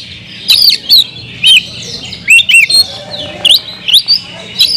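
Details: Loud provoking song of an Oriental magpie-robin: separate bright whistles that swoop down and up, some in quick pairs, spaced by brief silences, over a low background hiss.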